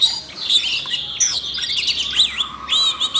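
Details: A captive Siberian Rubythroat, stirred to sing while a young bird was being voice-trained, gives a rapid, varied warble of high, sweet whistles and scratchy chirps, running almost unbroken.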